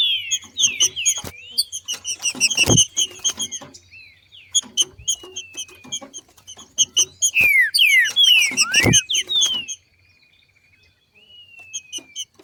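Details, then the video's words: Green-winged Saltator female in the wild, singing in male fashion ('macheando') to excite other birds into song: falling whistled notes and long sliding whistles amid busy high chipping, brief loud thumps, then near silence. "Trinca ferro Macheando na NATUREZA e canto de trinca ferro para esquentar ao maximo"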